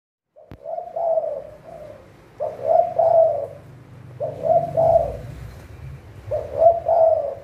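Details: Spotted dove kept as a trapping decoy bird in Thailand, giving low, mellow coos. Each phrase has a short note followed by longer rolling notes, repeated about every two seconds. A low hum sits underneath.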